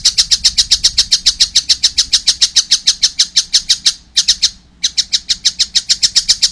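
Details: Juvenile collared kingfisher calling vigorously, a fast run of rasping notes with a short break near the end before the series picks up again.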